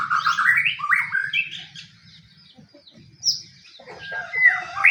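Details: White-rumped shama fighting song used to provoke other shamas: a rapid warbled run of rising notes, a near-silent gap, then a high whistled note and further slurred phrases.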